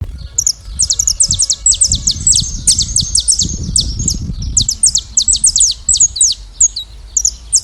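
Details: Saffron finches singing free in nature as a flock; a dense stream of high, sharp, downslurred chirps overlaps almost without pause, with faint low rumbling noise beneath.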